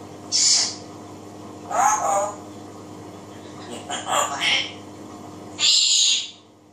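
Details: Indoor African grey parrot imitating voices and singing: four harsh, breathy, speech-like bursts spaced about one to two seconds apart, some with a voiced lower band. A constant faint hum is heard throughout.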